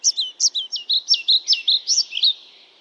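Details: Pied flycatcher (Ficedula hypoleuca) singing one fast, lively phrase of about ten bright, high notes, each a short hooked slur, run together over two and a half seconds, with a quiet tail at the end.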